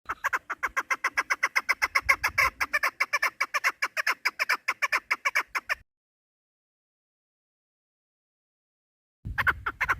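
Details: Female chukar partridge calling, used by hunters as a lure: a long, rapid chain of harsh, clucking notes, a silent gap, then the rhythmic calling resumes briefly.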